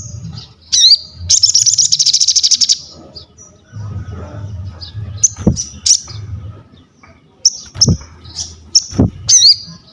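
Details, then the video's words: Vigorously singing crested jay used as master material: a whistled flick, then a loud rapid rattling trill of about a second and a half, followed by scattered high piping whistles over a low background rumble. "SOGON GACOR UNTUK ASAH MENTAL, MASTERAN DAN PANCINGAN BUNYI"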